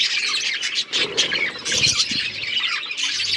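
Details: Talking, chirping budgies recorded October 31, 2023: a thick wall of high overlapping chirps and squeals from a group, with a few lower rasping notes mixed in.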